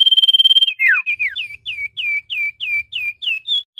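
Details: Common iora lure call for trapping wild birds that are reluctant to come down: a fast, level, pulsing high trill, then about ten sharp, downslurred whistled notes repeated roughly four times a second.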